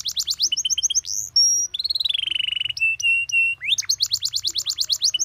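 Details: Caged canary master song, with easy-to-imitate phrasing, played for teaching other canaries: bright high rapid trills, a long downslurred whistle, clipped repeated notes, then fast rattling trills. Loud, clean and close, with no other sounds.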